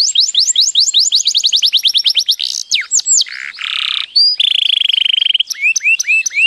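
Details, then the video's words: A canary sings a fast, varied song: rapid rising whistled notes, buzzy harsh passages and a long trilled roll, all high-pitched. "canario cantando"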